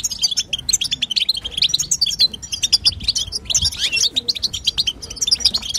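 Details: Female European goldfinch giving batbata twittering, used to prompt a male goldfinch to sing: rapid high chirps and trills in dense bursts, nearly continuous across the clip with only brief gaps.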